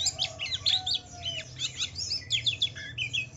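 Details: White-eye lure song for provoking other white-eyes: crowded high chirps and twittering slurs, with a faint, long, lower whistled note drawn out underneath.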